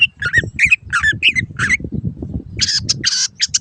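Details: Long-tailed shrike master recording to train caged birds: quick squawky varied notes at about three per second, ending in a burst of harsh broad rasps, with steady low background rumble.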